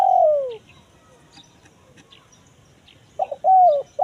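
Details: Spotted dove lure, kuk 1 mersik style, for attracting wild forest birds: a falling coo opens, then quiet with faint chirps of other birds, then a stuttered start and a rolling coo at the end.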